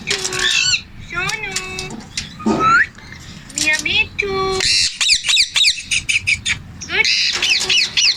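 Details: Talking male Indian ringneck parakeet: a mix of rasping, voice-like harmonic phrases and warbled notes, then runs of rapid high chirps repeated in quick bursts toward the end.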